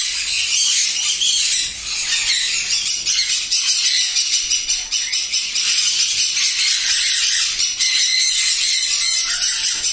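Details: Many captive sun conures at a breeding farm of 16 pairs in East Medinipur, West Bengal, India, fill the air with harsh, high-pitched screeching calls overlapping continuously.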